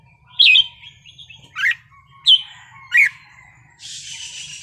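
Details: Red-whiskered bulbul wild-style (pleng pa) song: four separate bright whistled phrases about half a second apart, each with a quick dip, followed by a steady hiss of noise at the close.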